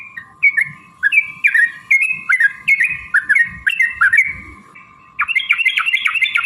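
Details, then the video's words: A sooty-headed bulbul sings a provoking lure song: looping whistled phrases repeated roughly every half second, ending in a quick, higher chattering burst, with a faint steady hum. "trucukan gacor TARUNG ROPEL PANJANG pancingan trucukan agar bunyi jadikan burung trucuk NYAUT gacor"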